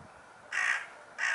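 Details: Hooded crow giving two harsh, raspy caws about half a second apart, each loud and broad, with a quiet background between them.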